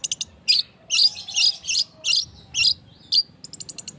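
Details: Long-tailed shrike singing as a lure to provoke other birds into song; loud scratchy, harsh bursts of high notes repeated roughly twice a second, interspersed with brief chattering phrases.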